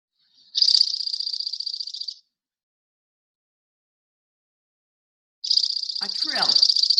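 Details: Dark-eyed Junco song recorded on Protection Island in spring: two dry, even trills of rapid, high notes on a single pitch, each about a second and a half long. A person's voice briefly overlaps the second trill.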